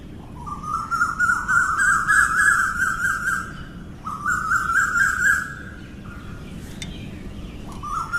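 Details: Morning calling of an Asian koel: two long rising runs of quick repeated notes, each building upward in pitch before stopping, then the start of a third run, with low background rumble and faint high twitter.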